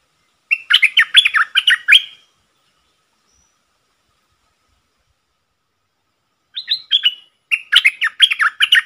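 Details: Bold wild red-whiskered bulbul answering a caged decoy, dated 5-6-64: a rapid phrase of about eight rolling whistled notes, a four-second silence, then two more similar quick phrases.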